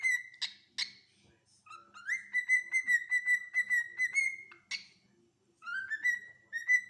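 A cockatiel gives clear whistled notes, some long and level, others rising, with harsh clicks between.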